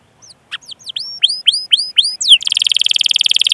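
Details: Canary singing as a training recording for other canaries: scattered high chirps building into a series of rising-then-falling whistles, ending in a fast buzzy rolling trill.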